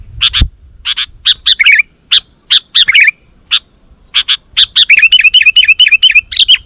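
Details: Sooty-headed bulbul in persistent song to lure wild bulbuls to answer: short chips and bubbly falling whistles in irregular bursts, ending in a quick run of repeated bright whistled notes.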